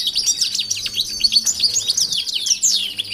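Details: Aviary-kept European goldfinches mixed with canaries so they can exercise and grow familiar before pairing. Continuous bright, jingling twitter of fast rising and falling notes, with a faint low hum beneath.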